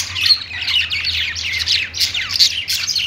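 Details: Short burst of budgie song from a perch: quick downward-sliding chirps and scratchy squawks packed closely together, a couple of bright whistled squeaks standing out.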